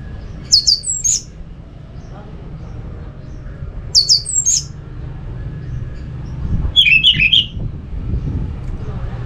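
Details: Orange-headed thrush, a kept bird in Singaraja, North Bali, singing to prompt other thrushes: brief high twittering clusters repeated about every three seconds, then a lower warbled phrase, with steady low hum beneath.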